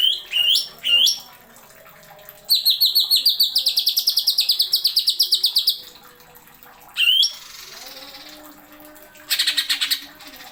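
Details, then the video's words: Greater green leafbird (cucak ijo) tutor recording with sharp 'nembak' fill-ins: a few rising squeaky notes, a rapid run of high chirps for about three seconds, then harsh scratchy squawks between pauses. "CUCAK IJO NEMBAK ISIAN TAJAM"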